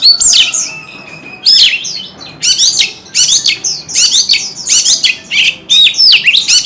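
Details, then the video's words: Kept white-rumped shama song with tail flicking: about seven loud, rich phrases of steep falling and rising whistles, each roughly a second apart, clear and strong. "Tiếng chim chòe than hót - Chòe than hót xèo đuôi cực hay"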